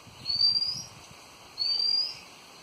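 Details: Birds chirping on a windy afternoon in Devgad: two thin, high whistled notes, each rising slightly and lasting about half a second, spaced roughly a second apart, over a low rumble of wind.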